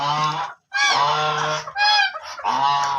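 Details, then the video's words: Black ducks giving loud, nasal, harmonic honking quacks in long drawn-out bursts, about three calls in quick succession with brief gaps between them. "black ducks original sounds"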